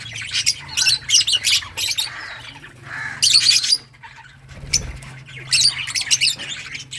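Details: Lovebirds of various colour mutations singing and chirping: clusters of shrill, harsh high chirps and squawks come in bursts with short gaps, over a steady low hum.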